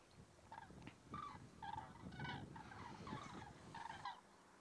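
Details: Resting flock of common cranes at an autumn stopover in the Rehdener Geestmoor, Diepholz moor lowland, Germany, 5 October 2016: loud, rolling trumpeted calls overlapping in a steady chorus, with a low rumble of wind or distance beneath.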